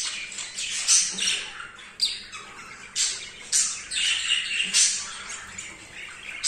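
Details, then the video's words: Chattering budgerigar male, very aroused and mating with a female for the first time, repeats harsh buzzy bursts roughly once a second. Softer scratchy warbling fills the gaps between them. "تزاوج عصافير الحب | البادجي | ذكر هائج | جدا لاول مرة يتزاوج"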